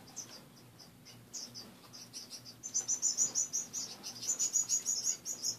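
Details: Caged pet finches give scattered high chirps, then a sustained fast series of sharp, regularly repeated notes, roughly three per second, grows louder toward the end, over a faint low hum.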